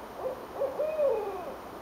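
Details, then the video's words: Owls calling back and forth in Richmond, Virginia, on January 8, 2012, heard from a porch: a few short mid-pitched hoots, then a longer wavering hoot that rises slightly and trails downward. "Owls Calling"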